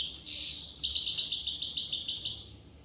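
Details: European goldfinch from Corsica singing a bright, rapid twittering run of high tinkling notes, opening with a loud burst then a steady chattering trill that slowly fades.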